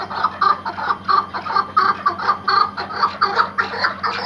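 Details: Iraqi white chukar partridges kept as hunting partridges give a rapid, clucking chatter of harsh, mid-pitched notes, roughly one to two per second in an uneven, overlapping rhythm.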